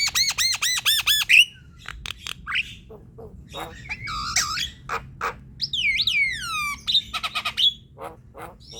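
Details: Javan myna chatter intended to rouse silent birds: quick ringing arched notes, a squeal, scattered clicks and squawks, then a long descending whistle with strong overtones and further squeaky notes.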